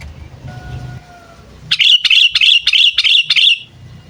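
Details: Pet sooty-headed bulbul used as a lure for wild bulbuls, calling in training. A faint whistle is followed by a rapid run of about six sharp, high chirps in under two seconds, over low vehicle noise.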